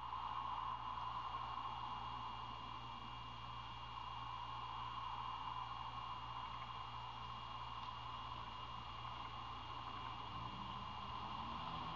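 Only a steady electrical hiss and hum with faint rustling fills the recording, and no animal voice can be made out.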